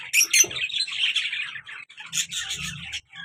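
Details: Busy high twittering and sharp squeaks from a lively male and female lovebird pair, with a brief pause before more chatter.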